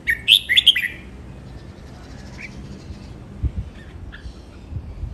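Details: Red-whiskered bulbul training song in len rik, nap dok, mae bot and lak wai styles: a sharp, ringing burst of whistled warbles at the start, then only occasional faint notes over background hiss.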